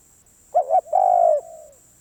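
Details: Spotted dove giving one cooing phrase: two quick rising-falling notes, then a long, steady, mellow coo that fades away. A faint high electronic whine runs throughout.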